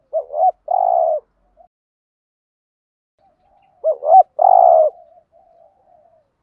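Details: Lure spotted dove calling to attract wild doves: two phrases nearly four seconds apart, each a paired rising hoot then a rolling, buzzy coo, with silence and faint soft notes between.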